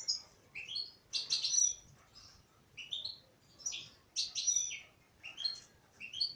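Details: Female European goldfinch singing: bright, high twittering phrases with rising and falling whistled notes, delivered in short bursts about every second with brief pauses between.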